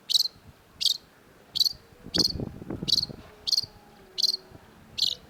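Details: Long-tailed shrike in a masteran tutor recording, giving sharp, piercing high notes repeated about every 0.7 seconds in an even series, with faint low murmuring in the background midway.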